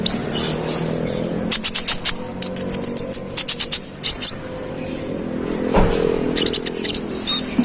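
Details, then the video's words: Olive-backed sunbird (konin) in vigorous song meant to stir up other konin: short volleys of fast sharp ticking notes separated by quiet gaps, a few thin whistles, and a brief low thump midway. "KONIN GACOR ROLL NEMBAK NGOTOT Buat konin lain emosi"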